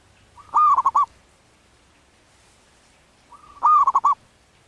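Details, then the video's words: Zebra dove in the wild, local and in breeding condition, repeating its manggung song twice: each phrase a lifting drawn-out coo dissolving into three quick rolling notes, with a near-silent pause between. "Suara anggungan perkutut lokal alam liar sedang birahi"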